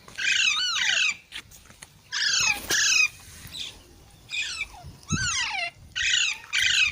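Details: Green parrot calling in paired bursts, harsh raspy screeches that drop in pitch at their ends, repeated about every two seconds.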